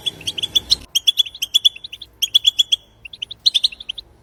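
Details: Outdoor European goldfinch song for stimulating other goldfinches: quick, bright, repeated chirps in two fast runs, then a pause and a short final flourish, with faint background noise at the start.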